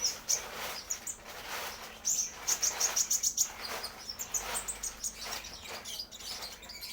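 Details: Brown-throated sunbird learning its song: thin, high chirps and short tweets, with a quick run of sharp repeated ticks in the middle, then scattered softer notes against faint background hiss.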